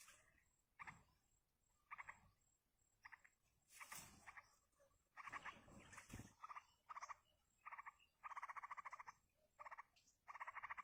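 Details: Wild yellow-vented bulbul nestlings begging while a parent feeds them: short buzzy harsh bursts repeated about once a second, growing into longer rapid pulsed runs, with occasional rustling noise.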